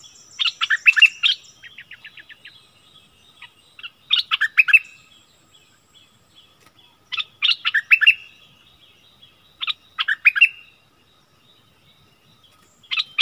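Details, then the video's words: Decoy Streak-eared bulbul, 16 February 2021, uttering short explosive clusters of sharp chirps roughly every three seconds, between them a faint quick ticking series and long quiet gaps. "เสียงนกดอกแตงEp.32ร้องแบบนี้ นกป่าหายหมด!!! Burung merbah lekir gacor"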